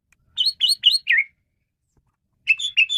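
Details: Male Asian pied starling singing, recorded for luring and training birds: four loud upslurred chirps in quick succession ending in a falling note, silence, then a short burst of three more chirps.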